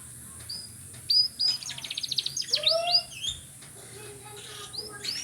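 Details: Canary song: a clean whistled note, then a fast rattling trill, followed by slurred descending whistles and lower warbled notes, ending with a few rising chirps.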